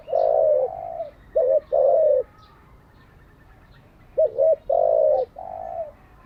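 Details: Spotted dove cooing, played to train decoy and newly caught doves: two phrases, each a long coo, a brief doubled note and a drawn hollow coo, with a quiet pause between; thin chirping faintly behind.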